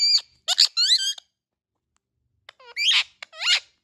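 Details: Indian ringneck parrots uttering clipped, squeaky squawks in two clusters separated by over a second of silence, each note sharply rising then falling, with harsh harmonic tone.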